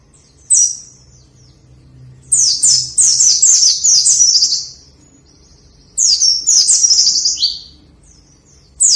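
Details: White-eye song to motivate lazy white-eyes: a short high chirp, then two extended bursts of fast, shrill twittering with repeated down-slurred notes, each lasting about two seconds, separated by quiet.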